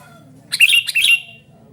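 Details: Loud, harsh two-part chatter from a calling sooty-headed bulbul, scratchy notes sliding downward slightly, backed by steady low hum.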